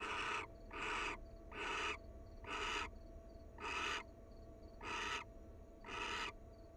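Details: Wild barn owl pair cuddling at their nest, harsh broad hissing screeches of about half a second, repeated roughly once a second, six in a row, with a faint high pulsing tone behind.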